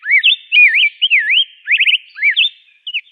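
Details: Rose-breasted grosbeak song of loud, fluid whistles that swoop and loop, including a quick cluster of three or four rapid notes, ending with soft, fading notes.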